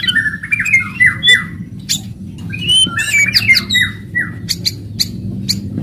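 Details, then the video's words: Aggressive white-rumped shama, called murai batu, delivering loud 'kretekan' crackles and 'tembakan' shots to stimulate rival shamas: rapid run of downward-slurred whistles, sharp clicking ticks and high piercing notes, densely repeated, with a low hum beneath. "KRETEKAN KERAS & TEMBAKAN MURAI BATU FASTOL.//, ASLI SUKSES MERANGSANG EMOSI"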